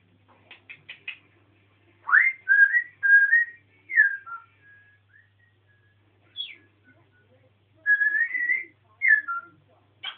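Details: Pet African grey parrot on a rant, giving a run of clear whistled notes around the upper-middle range: short sharp chips, then sliding, wavering whistles in bursts with pauses between, indoors with a faint low hum.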